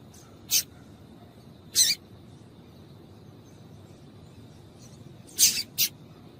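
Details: Female yellow-bellied seedeater giving calls meant to excite males into singing: four short, sharp, high chips, two well spaced, then a quick pair close together near the end, over a faint steady high whine.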